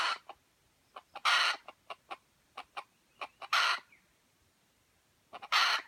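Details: F1 white-legged junglefowl, Aceh: regular soft clicks between three loud, coarse, broadband bursts spaced about two seconds apart, in a quiet setting.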